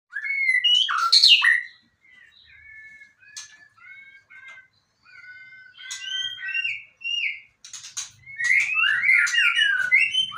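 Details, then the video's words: Caged white-rumped shama (murai batu), a fighter-style songbird, singing rich whistled phrases: loud swooping notes, then steady clear whistles, ending in a dense burst of rapid, varied notes. "Murai batu fighter"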